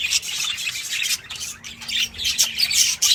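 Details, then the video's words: Budgerigars warbling in a chorus, a thick mass of bright chirps and scratchy chatter pulsing roughly twice a second, with a faint steady hum in the background. "เสียงนกหงษ์หยก นกหงษ์หยก ร้องชัดเสียงดังระงม ประสานเสียง"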